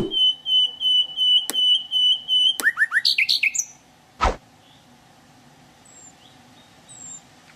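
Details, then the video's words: Wild sikatan londo singing: a long steady high whistle, a short note, then a rapid run of rising and falling chirps. A sharp click follows, then near silence. "𝗕𝘂𝗿𝘂𝗻𝗴 𝗦𝗶𝗸𝗮𝘁𝗮𝗻 𝗟𝗼𝗻𝗱𝗼 𝗞𝗶𝗰𝗮𝘂 𝗔𝗹𝗮𝗺 𝗟𝗶𝗮𝗿"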